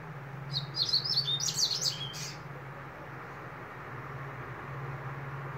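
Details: A single brisk two-second phrase of sharp, chattering, warbled high notes from a double-collared seedeater, followed by quiet with only a low background hum.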